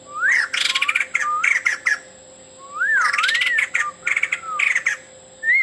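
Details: Male white-crested laughingthrush singing energetically, full of filler imitations: swooping whistled notes mixed with loud, raspy, squawking chatters in quick bursts, over a constant faint hum.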